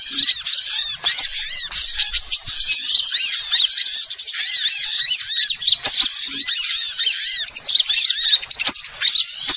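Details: Lure sound for trapping small birds: a busy wall of sharp, high twitters and rapid chattering trills from many birds, continuous and unbroken.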